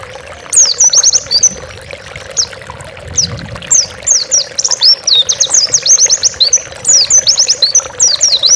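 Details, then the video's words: Oriental white-eye, a master recording for training pet birds, gives a lively chattering song of high, rapid downslurred notes in fast bursts, with a steady low hum underneath. "Masteran burung pleci gacor bukpar"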